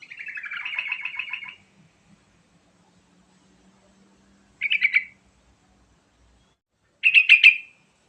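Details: Song of a yellow-vented bulbul played as a lure for other singing birds: a long chattering run of quick notes dipping slightly, then two shorter bright bursts of rapid notes separated by silence, faint low drone beneath.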